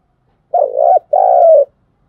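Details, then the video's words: Coo of a spotted dove, an urging and calling song used in training decoy birds for trapping: one clear double phrase, a short wavering note followed by a longer steady one that drops at the end. "Tiếng chim cu gáy thúc gù và gáy gọi hay nhất"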